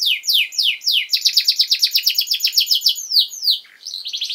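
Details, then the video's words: Canary in vigorous training song for young birds, pouring out fast repeated descending trills and rolling high notes almost without pause. "Canary Singing!Masteran Kenari Gacor"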